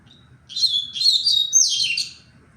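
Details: Double-collared seedeater in tui-tui song style on 23 February, delivering a rich continuous phrase of fast twittering, buzzy and whistled notes about two seconds long, with soft low background hum.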